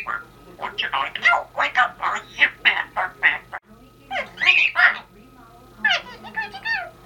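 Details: A female Congo African grey parrot, kept as a pet, talks to wish a Happy New Year: quick runs of speech-like syllables with clear gaps, mimicking human words in short bursts, with a faint steady hum behind.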